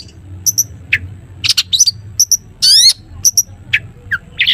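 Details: Long-tailed shrike in energetic 'toet toet' song, played to get other shrikes singing: scattered doubled chips and short whistles, a drawn-out ringing, descending raspy note in the middle, then more clipped notes.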